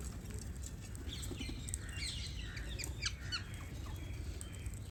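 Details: Parrots chirping, a flurry of short sharp squeaky notes and squawks in an irregular burst, over a loud low background rumble.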